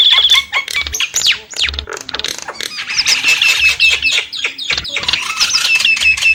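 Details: Nias hill myna song opening with a steady whistle, then harsh squawks and rasping notes leading into a dense run of bubbling, slurred whistles.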